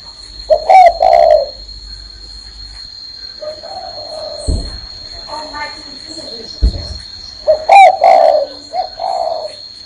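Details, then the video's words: Spotted dove perched on a person's hand, cooing: a short three-part low coo at the start and again near the end, with thumps and murmuring in between and a steady high electronic whine throughout. "CHIM CU Đậu trên tay vẫn gáy"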